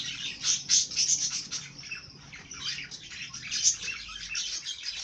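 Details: Fast, high trilling twitter from a singing bird, notes repeated about four per second, softer in the middle and then rising again.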